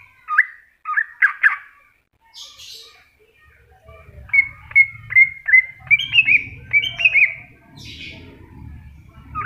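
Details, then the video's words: Greater green leafbird song: a string of clear, ringing whistled notes, several short phrases at the start, then a steady series of rising notes, roughly one every half second, over a low background rumble. "Cucak Hijau Masteran"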